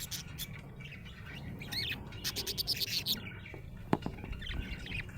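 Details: Cheerful budgie chirping: bright, rapid twittering bursts and short whistled upslurs in quick runs, then a sharp click, with a soft low hum behind.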